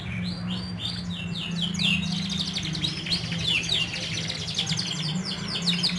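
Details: Canaries singing in a group to coax silent birds into song: dense, continuous high trills of repeated sweeping notes, some rising, layered over one another, with a low steady background hum.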